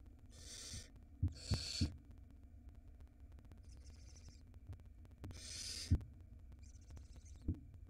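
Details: Barn owl nestling swallowing a huge rat at a nest in Israel, filmed by a live 4K nest camera. Rough breathy hisses come in uneven bursts, with soft low thuds and knocks between them.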